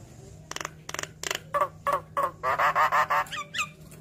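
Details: Javan myna singing to prompt other mynas to answer: dry clicking rasps that give way to nasal, drawn-out notes in quick succession, finishing with sharp descending whistles.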